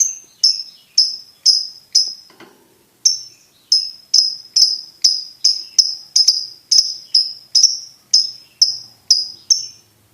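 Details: Champion competition lovebird singing: a long series of sharp high chirps repeated about twice a second, a short break, then the steady run resumes.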